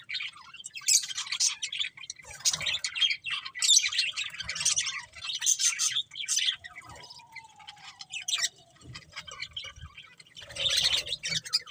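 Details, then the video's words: Budgerigars chirping in bursts of high, scratchy chatter and warbling, separated by quieter gaps, with a faint steady tone and light low rumble in the background. "Beautiful Budgies Chirping Sounds"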